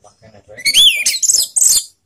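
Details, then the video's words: Orange-headed thrush song used as a lure to raise emotion and breeding urge: a short burst of loud, high, varied whistles and rapid chirps, with one clear rising-falling whistle near the start. "PANCINGAN ANIS MERAH TELER || menaikan emosi dan birahi"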